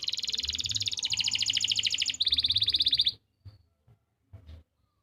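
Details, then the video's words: Canary song for tutoring stalled or young birds, Pati, Central Java: rapid, buzzy pulsed trills in three quick sections for three seconds, then a few soft clicks and silence. "masteran untuk memancing burung kenari yang macet bunyi"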